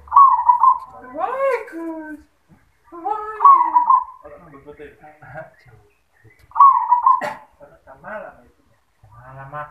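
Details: Zebra dove with 'yoman' style voice coos three rippling phrases about three seconds apart while a man talks loudly over and between them.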